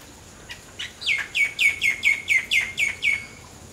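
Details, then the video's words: A common myna sings non-stop, giving about ten quick, slightly harsh, downward-sliding notes at four per second against a quiet background. "Common Myna Singing Non-Stop in Beautiful Melodies"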